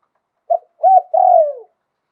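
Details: Thai zebra dove giving a lio tan song phrase, described as sweet with a wild-type voice: a brief clipped note, a curved rising-falling note, then a long rolling coo that slides downward at the end.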